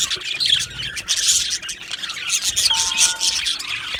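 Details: Colony of Australian budgies kept in an aviary, chirping together: busy high-pitched twittering and short squawks, with a brief steady whistled tone partway through.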